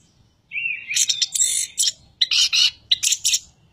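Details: Energetic 'ocehan panas' chatter of a Chestnut-capped thrush (Geokichla interpres): a rising whistled note leads into loud, dense, scratchy twittering phrases, broken by short gaps, with a faint low rumble behind.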